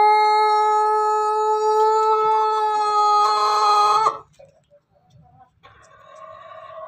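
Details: Ayam Ketawa Bangkok and Pelung crossbred chicken crowing while about to lay eggs, Banguntapan, Yogyakarta, Indonesia; one long, steady, harmonic-rich crow lasting about four seconds, then cutting off, with a shorter, softer call near the end.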